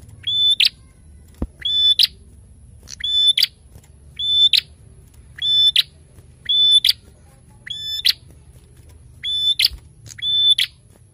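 A prinia gives loud, sharp, chirping bursts about every second and a half, each a quick high clipped phrase, over a faint low hum.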